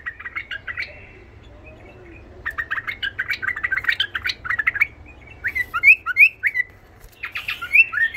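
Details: A tame White-eared bulbul sings rapid bursts of harsh, chattering chirps, then loud, rich, slurred whistled phrases, with short pauses between bursts.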